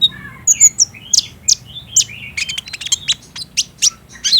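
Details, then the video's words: Young green-plumaged sunbird song, played at midday to provoke a kept bird into singing, recorded on a phone: rapid, very high, thin chirps and short twittering phrases, some dropping in pitch, over a faint low hum. "PALING JITU BIKIN KOLIBRI NINJA IJOAN CEPAT NYAUT | PANCINGAN KONIN TROTOL AGAR BUNYI DAN GACOR"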